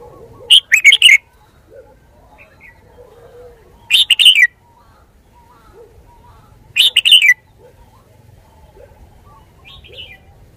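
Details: Red-whiskered bulbul giving three brisk phrases roughly every three seconds, each a tight cluster of clear, lively whistled notes, over soft low background chatter and a faint higher call near the end.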